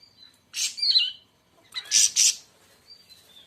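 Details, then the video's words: Siri siri raja (siri siri besar) song: two loud, harsh, buzzy high bursts about a second apart, with thin whistled notes drifting in between. "kicau burung siri siri raja"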